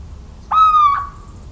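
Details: One strong, whistled, slightly falling hoot of a little owl lasting about half a second, recorded in central French farmland on 17 March 2019 over a quiet low background.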